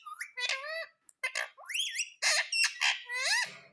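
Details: A pet rose-ringed (ringneck) parakeet gives harsh, rasping squawks mixed with shorter chattering notes and a few upslurred whistles, in quick irregular bursts.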